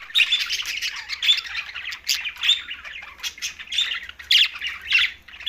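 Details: Green budgies chattering during a meal, tagged Larkana, Sindh. Bursts of rasping, warbled chirps come in pulses roughly every second, with tiny whistled notes woven through. Background is quiet otherwise.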